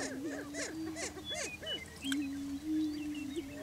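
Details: On a lek in Washington County, Kansas, Greater prairie chickens display for breeding territory. Repeated arched cackles lead into a steady low humming drone that carries to the end, with faint chatter above.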